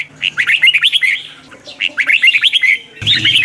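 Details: Caged red-whiskered bulbul in morning singing training, delivering two fast bursts of twisting, warbled notes that swoop up and down, each phrase lasting about a second, followed by a brief harsh noise at the end.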